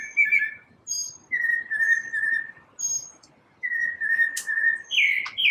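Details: A single bird's morning song of drawn-out, lower whistled notes in slow series, closing with a brighter, higher phrase.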